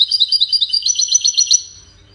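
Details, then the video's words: European goldfinch singing in the Widani style, played to teach young chicks to sing: a rapid, dense run of bright twittering and tinkling notes, about six per second, high-pitched, fading out after one and a half seconds. "تغريد ويداني لتسميع فراخ الحسون"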